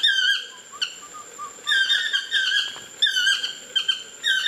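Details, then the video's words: Chestnut-mandibled toucan singing from a tree near an ecolodge bungalow, Osa Peninsula, Costa Rica; loud harmonic yelps slurring downward, grouped in short runs, with softer rising notes between bursts. "Chestnut Mandibled Toucans !!! Singing in the Trees"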